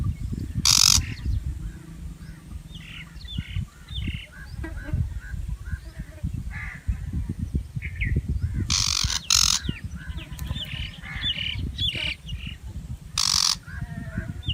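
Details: Shrike giving loud, harsh, rasping screeches: one near the start, a close pair around the middle and one near the end. Faint chirps and whistles from other birds fill the gaps over a steady low rumble.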